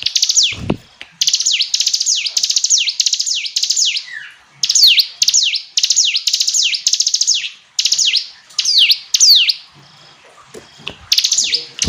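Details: Hill prinia song in clear series: high, loud phrases of sharp descending whistles with rapid clicks, each phrase about half a second, with short pauses between bursts and a brief silence near the end.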